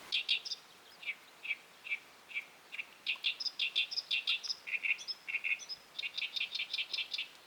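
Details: Great Reed Warbler on a tidal flat at high tide among mudskippers, delivering a long, continuous series of harsh, chattering syllables, alternating lower croaky notes with higher squeaky ones in quick, uneven rhythm.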